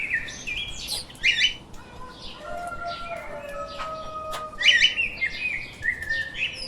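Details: Lovebirds kept as pets chirp shrilly in two main bursts of squeaky, buzzy notes, with a few faint steady tones between them.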